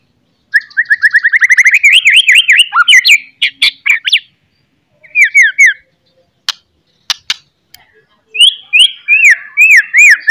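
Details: Loud morning song of a white-rumped shama, meant to raise fighting spirit in another shama: an accelerating series of rising rippled notes, a few sharp clicks, and later repeated wavering downslurred whistles.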